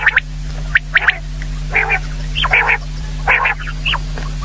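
Common quail giving short, sharp nasal notes in quick pairs, then harsher grating bursts at an uneven pace, over a steady low electrical hum.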